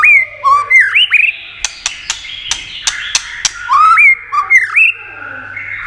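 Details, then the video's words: White-rumped shama singing with 'tạch' clicks, used to stimulate other shamas: bright rising and falling whistled phrases, a run of evenly spaced dry clicks, then the whistles again, over a faint steady hum. "Âm Kích Thích Cực Nhạy.chòe lửa đập tạch kích bổi cực sung.kích chòe lửa yếu lửa.chòe lửa tạch đập"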